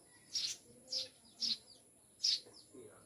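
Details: Eurasian tree sparrows, newly kept as pets: four short, high chirps spaced about half a second apart, each a bright burst, with a faint steady hum in the background.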